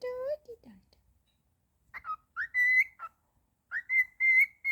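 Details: Pet cockatiel singing happily indoors: a few short voiced notes, then clear whistled phrases that swoop up and hold steady, bright high tones, repeated twice with brief pauses.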